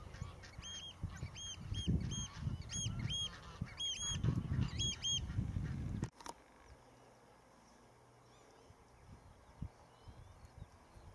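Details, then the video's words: Young northern lapwing at Zandvoortweg calling in a rapid series of clear arched notes, about two per second and often paired, for six seconds. Strong wind gusts are heard, then a quieter stretch with no calls. "jonge kievit"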